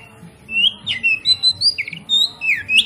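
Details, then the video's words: Kacer song used as a lure to provoke other kacer to sing: a rapid series of loud, clear whistled notes, some rising and some falling in sweeping slurs, delivered in a tight burst of about a dozen phrases. "PANCINGAN KACER PALING AMPUH MERANGSANG KACER LAIN AGAR LANGSUNG BONGKAR ISIAN"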